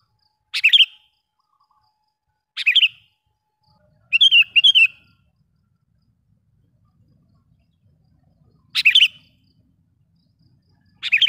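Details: Sooty-headed bulbul calling as a lure for wild bulbuls: single sharp, bubbly chirps spaced about two seconds apart, with one quick double-note phrase in between. Long silences separate the calls.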